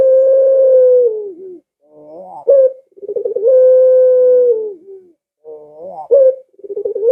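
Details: Rhythmic Barbary dove cooing for luring pet doves to sing: long low level notes alternate with a quieter rising warble and a sharp upswept note, the cycle repeating about every three seconds on a clean background.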